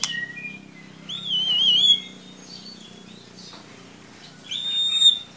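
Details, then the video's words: White-rumped shama lure song for prompting a young chirping bird: a wavering warbled whistle held about a second, then quiet, then a second clear whistled phrase, over low hum. "Solusi murai ngiriwik kurang gacor cukup dengarkan suara pancingan ini pasti nyangut"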